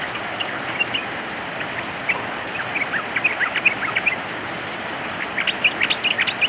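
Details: Sooty-headed bulbul singing in the rain; short bright chirpy notes and quick phrases, scattered then clustered toward the end, over steady heavy rainfall hiss.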